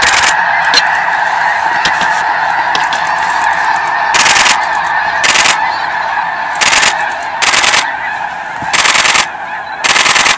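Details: Thousands of spooked snow geese on migration east of Edmonton, circling over a pond: a loud, continuous clamour of overlapping honking calls, broken by several strong bursts of rushing noise.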